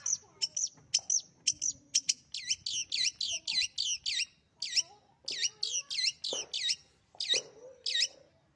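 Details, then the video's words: Kept pet long-tailed shrike in lively full song: loud, rapid series of high, sweeping U-shaped whistled notes, repeated several times a second in bursts with short pauses, plus an occasional lower harsh note. "burung cendet gacor"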